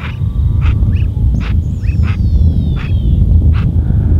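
Brazilian teal giving short, harsh calls repeated about every two-thirds of a second, with a few thin falling whistles over a steady low rumble.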